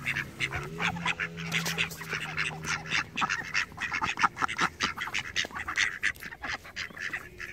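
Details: Domestic ducks calling as a flock, dense overlapping harsh quacks and honking notes packed rapidly together throughout, with a steady low droning hum underneath during the first half.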